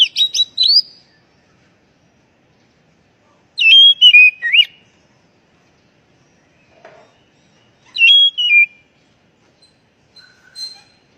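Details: Oriental magpie-robin lure call for untrained, stressed kacer that have fallen silent. Short separate phrases of sweet falling whistles come every few seconds, with a faint soft note near the end.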